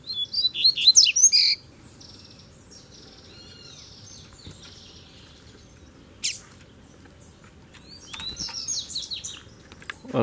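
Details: Double-collared seedeaters in a duel between three rival males. A brief, rapid burst of high twittering notes opens the clip. Long quiet stretches and a sharp click follow, then another chattering phrase near the end.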